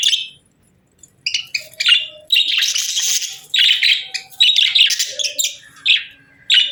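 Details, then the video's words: Budgerigars chirping: bright, buzzy high chirps and warbles in short bursts after a brief quiet opening, with busy chatter packed together through the second half. "Budgies Chirping Sounds"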